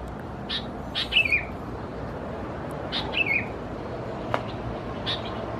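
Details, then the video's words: Sooty-headed Bulbul chicks (Pycnonotus aurigaster thais) at Khao Yoi, Phetchaburi, Thailand, in June 2020. Two short, high, chirping notes sit about two seconds apart over a steady background hiss, with a few faint clicks. "นกปรอดหัวสีเขม่าวัยอ่อน Sooty-headed Bulbul chicks"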